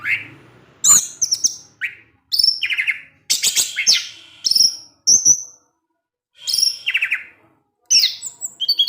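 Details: Caged orange-headed thrush in teler song with ngecip ngecis phrases, sharp high chips and rapid buzzy trills in clustered bursts, broken by pauses of about one second.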